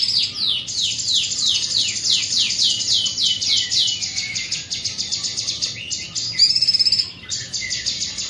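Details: Rapid series of steeply falling whistled sweeps, several each second, gives way to buzzy trills from a big-bodied greater green leafbird noted for its strong, carrying voice.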